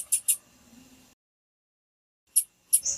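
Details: Female blue-black grassquit call, played to stimulate males to sing, heard as very high, thin, sharp chips in pairs, separated by a second of silence.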